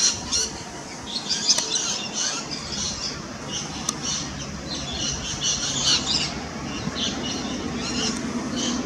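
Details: Rainbow lorikeet feeding, recorded with a Nikon P900 camera: scattered harsh, high-pitched squawks and screeches, some overlapping, over a steady background hiss.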